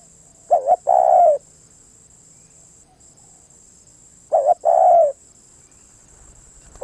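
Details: Spotted dove cooing in two phrases about four seconds apart, each a quick pair of short coos followed by one long, level, mellow coo that trails off, with a steady high whine behind.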